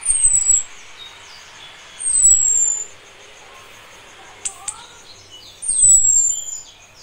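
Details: Female orange-headed thrush calling the male when ready to breed, a call known as nritik: three thin, high whistled notes sliding downward, spaced about two to three seconds apart, with low rumbling noise under each note.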